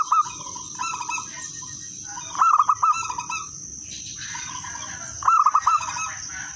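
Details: Three phrases of crisp, melodious cooing from a local wild zebra dove, played to coax other doves to sing. Each phrase is a fast run of looping notes. Quieter cooing doves and high hiss run throughout.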